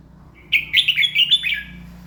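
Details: A red-whiskered bulbul sings one quick, cheerful phrase of five or six bouncing warbled notes in the morning, over a faint low hum.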